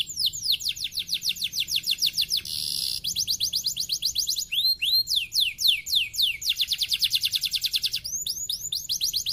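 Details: Lure song of a canary, played to prompt lazy canaries to sing: long, continuous, high-pitched rolling trills with quick changes between rapid repeated chips, slurred sweeping notes and buzzy bursts, and a soft low hum in the background.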